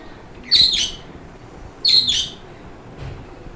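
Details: Happy pet budgerigars singing in the morning after breakfast give two quick bursts of high, scratchy chirping chatter about a second apart.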